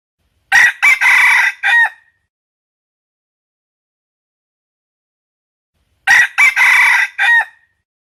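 A wild junglefowl crows twice, about five seconds apart, each a short clipped cock-a-doodle of four harsh, broken notes ending abruptly; nothing else is heard.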